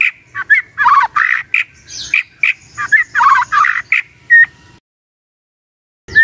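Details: Magpie-robin in the morning, singing to prompt a silent bird to answer: harsh, scratchy squawking notes in quick bursts, a clear whistle, then a pause.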